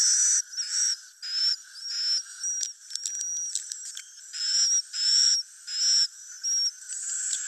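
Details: Lure sound meant to draw swiftlets in to roost: high, buzzy chirp bursts with a thin whistled note, repeated about every three-quarters of a second, and a brief patch of clicking in the middle.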